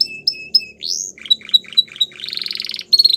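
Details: Belgian canary singing clear whistled notes, an upward sweep, spaced short chirps and a buzzy trill, with faint low background hum.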